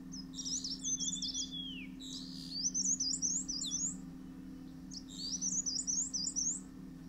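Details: At a nest in a Himalayan sanctuary, a male Dark Grey Bush Chat bringing grubs to its chicks; three bursts of high, scratchy, zigzagging chirps, the first with a sliding downward whistle, steady low hum beneath.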